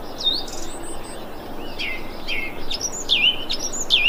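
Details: Thrush calling, recorded 25 February 2021: a series of clear, high whistled notes, some sliding down then sharply up, repeated about once a second over steady soft background hiss, with other faint chirps.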